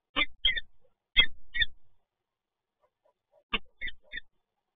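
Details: Peregrine falcon residents meet at a site in Toruń, Poland, on 27 November 2022, giving harsh, scratchy paired calls in three short bursts, with low thumping knocks beneath.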